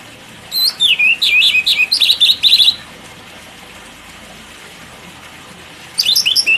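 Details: White-rumped shama song used as a training model for other songbirds: a fast run of high varied whistles and chattering notes for about two seconds, a pause over steady hiss, then another burst begins.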